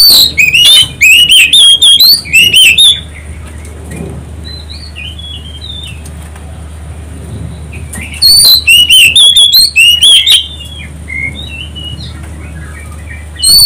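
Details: Oriental magpie-robin song used as a lure to provoke other birds into singing: two loud bursts of rapid, varied high whistles and sliding notes, each about two to three seconds, separated by a quieter stretch with faint distant chirps.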